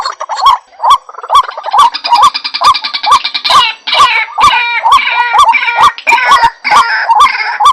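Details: White-breasted waterhen call used as a lure for trapping birds: dense, repeated rising croaks around two per second, layered with harsh overlapping higher notes, loud and continuous throughout.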